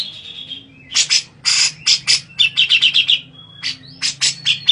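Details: Grey-cheeked bulbul singing while being bathed: a short whistle, then loud harsh bursts and a quick run of bright repeated notes, ending with more chirps.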